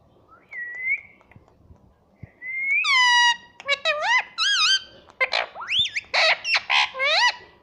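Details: Talking pet ringneck parrot, said to say "mummy" and "papa": two thin level whistles, then a rapid run of rich nasal, wavering syllables like clipped speech, bursts packed closely together for several seconds.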